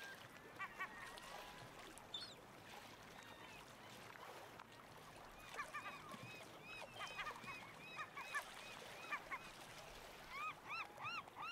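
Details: Several black oystercatchers pipe together in an overlapping chorus of loud, shrill arched whistles. The calls grow into a fast, rhythmic series of rising-falling notes near the end, with constant rushing noise like waves behind them.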